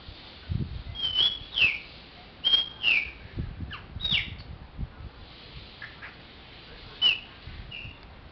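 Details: Chopi blackbird singing: a series of clear whistled notes, short rising and falling slurs and liquid phrases, given in bursts about every second with brief pauses, over low thumping background noise.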